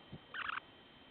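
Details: At a breeding site near Barrow, Alaska, a Semipalmated Sandpiper gives one harsh, rasping churr lasting about a quarter second, preceded by a soft low thump.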